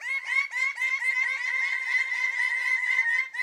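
Greater bird-of-paradise giving a loud, harsh run of nasal notes, about four per second, steady and laugh-like throughout.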